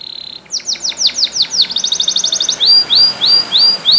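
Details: Training song of a Spanish Timbrado canary, with a brief soft trill, a series of falling sweeps, a quick pulsed trill, then slow repeated rising chirps about every half second.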